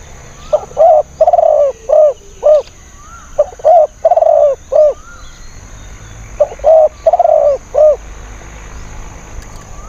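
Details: Wild spotted dove, called fierce and thin-voiced, used as a decoy for luring wild birds: three bursts of strong cooing phrases, each a run of short rounded notes mixed with longer hoarse ones, separated by brief pauses.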